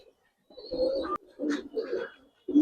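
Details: Budapest highflyer pigeons at a loft give low, throaty cooing in two rolling bursts with a short pause between them, ending on a louder coo.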